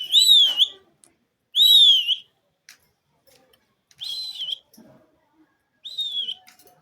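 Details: A pet Indian ringneck parakeet, shown for its talking and mimicry, gives four high, clear whistled phrases, each dipping and then rising, about two seconds apart, in an otherwise quiet room.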